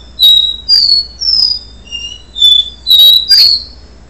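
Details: Capuchino seedeater singing the do-re-mi style before its moult: clear whistled notes between mid and high pitch, each held about a third of a second, seven notes in four seconds with short gaps, one falling lower.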